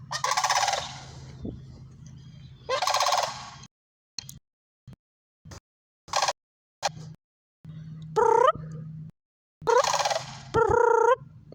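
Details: Sandhill cranes with two long rattling bugle bursts, then a stretch of near silence broken by short clicks, then sharp rising trumpeted notes and another rolling rattle toward the end; low hum in places.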